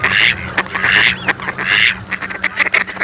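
Mallards give harsh, nasal quacks in three longer bursts, then a run of shorter rapid quacks, with a low steady hum underneath.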